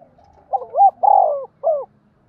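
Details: A single phrase from a giọng đồng spotted dove used as a lure for wild birds: a hooked coo, a long throaty middle note and a short falling final coo.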